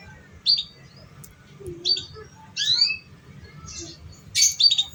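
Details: Lure recording of a canary for training young birds: separate high chirps and rising sweeps spaced about a second apart, with one short lower whistle, over a quiet background.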